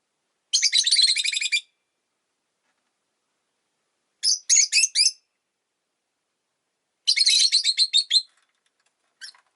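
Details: Rosy-faced lovebird kept as a pet gives long rapid strings of harsh, buzzy chirps, about a second each, alternating with shorter clusters of three or four sharp notes; no other sounds.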